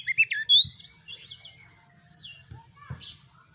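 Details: Kept oriental magpie-robin gives two short chirps and a loud arched whistle, then soft wavering notes trailing off, with faint low knocks behind.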